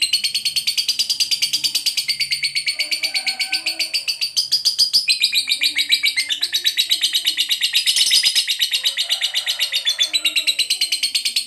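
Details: Lovebird recorded for training pet birds: a long, shrill, rapidly pulsed chatter, around ten notes per second, running without a break through the whole stretch, with the pitch shifting in places.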